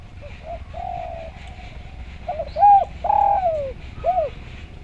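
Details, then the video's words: Spotted dove, a vocal bird singing, recorded as a master track to train or lure other doves to sing: soft low coos, then a loud phrase of rich coos with a long descending coo and a final short coo, over steady low background rumble. "Derkuku Gacor Suara Nglaras, Masteran Derkuku Paling Top Cer"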